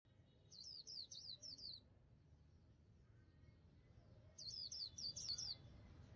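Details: White-eye from northern Vietnam kept by a bird artisan, singing the 'líu' style: two quick, high, twittering phrases of rapid up-and-down notes, each about a second long, separated by a pause, over low background rumble.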